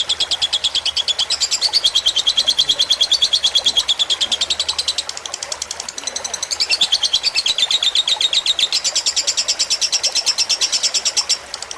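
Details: Lovebird of the fighter type, recorded as tutor song over trickling water to relax birds: an extended rapid chatter of high, buzzy chirps, briefly softening midway, then loud again before stopping near the end.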